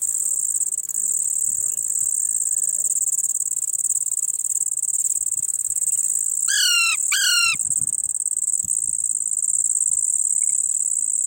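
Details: Young Indian ringneck parrot calling, giving a pair of rapid, downward-sweeping screechy notes near the middle, with a steady shrill high-pitched drone throughout and otherwise quiet gaps.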